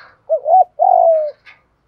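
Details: Lure coo of a spotted dove, meant to draw in wild doves: a brief rising note and a longer, steady, gently falling hoot make up one mellow two-part phrase, with a faint higher chirp just after.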